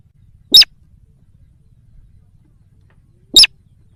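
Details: Lure call to draw wild sintar sawah: two short, harsh squeals about three seconds apart, high and overtone-rich, over quiet low background hum.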